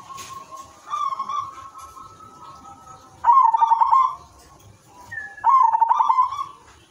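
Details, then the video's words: Silver-coloured zebra dove singing a melodious rhythm meant to prompt other doves to call: a long steady note followed by two loud trilled, throbbing coo phrases a couple of seconds apart. "perkutut silver gacor manggung irama merdu jadi pancingan semua jenis perkutut dijamin ikut bunyi"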